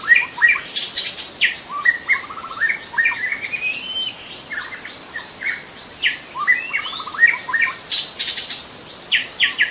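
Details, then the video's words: Juvenile white-rumped shama in wild forest singing energetic, varied phrases of rising whistles, rattling trills and sharp clicks, repeated in quick bursts over a constant shrill insect drone. "Kicau murai muda hutan"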